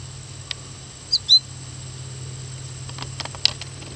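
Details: At Moraine Hills State Park, Illinois, a fledgling American goldfinch gives two quick, high, thin chirps in close succession, over a faint low hum and a few soft clicks.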